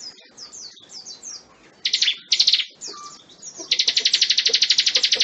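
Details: Bar-winged prinia, used as a tutor recording for magpie-robins: soft high twitters and two loud buzzy bursts, then a sustained rapid trill of sharp repeated notes to the end.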